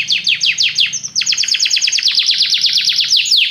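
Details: Many canaries singing together after hearing music: fast series of high descending sweeps repeated about three per second, running into a dense rolling trill of quick downward notes, with a faint low hum underneath.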